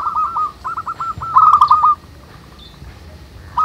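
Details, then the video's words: Wild local zebra doves in a manggung song: a rapid stream of short curved notes building to a louder trilled cluster, then silence with faint background until one final note. "SUARA BURUNG PERKUTUT MANGGUNG RAMAI DI ALAM"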